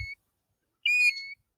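European Golden Plover giving one plaintive, clear whistle lasting about half a second, rising slightly then holding level, after the clipped end of an earlier note.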